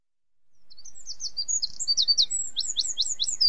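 Eurasian Wren singing a loud, very high, rapid run of sharp chips and trilled notes that quickens toward the end, over faint low background thumps.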